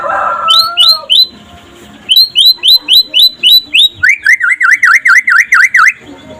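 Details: Daytime song of a white-rumped shama (pastol/trotol type), used to coax other shamas into song: a rich warble, a series of bright rising chirps, then quick repeated looping whistles.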